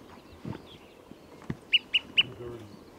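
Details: Olive-sided flycatcher at Trujillo Meadows Campground, Conejos County, Colorado, on July 6, 2017, gives three short, sharp pip notes in quick succession near the end, after a few soft knocks and thumps.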